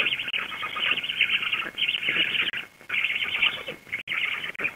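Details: Black stork female returning to her nest to feed the chicks, Łódź, Poland, 16 June 2021 at 19:34, nest webcam: harsh, buzzy rasping bursts in long runs with short gaps, over a steady electronic whine.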